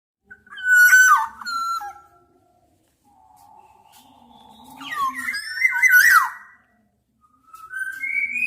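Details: Black-naped Oriole calling: a clear fluted whistle with a twist, then a long quieter pause and a rich, wavering liquid whistle rising and falling, ending with a rising whistled note.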